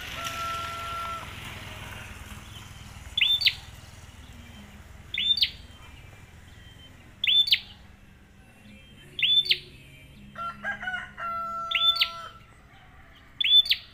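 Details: Prenjak, the bar-winged prinia, calling as a lure for other birds: bright, high chirps with a quick downward twist, repeated about every two seconds, with brief soft tonal hums in the background.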